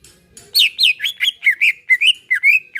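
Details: Relaxed singing of a greater green leafbird, played to get caged birds singing. After a quiet start come brisk, varied whistled notes, some falling and some rising, in a steady chatter.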